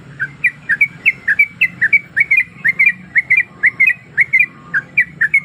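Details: A sooty-headed bulbul female in breeding condition calls for a male with a lively, even series of crisp, slurred chirps, about three per second, over a faint low hum.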